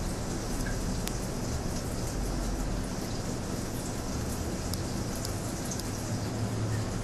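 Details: Steady traffic rumble and broadband hiss from a city street, with a few faint ticks and no animal calls.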